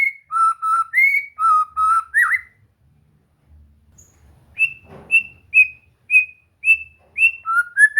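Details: White-rumped shama song used as relaxed practice to get a bird singing and gacor: clear whistled notes, first low steady phrases, then after a pause a run of short rising whistles repeated about twice a second.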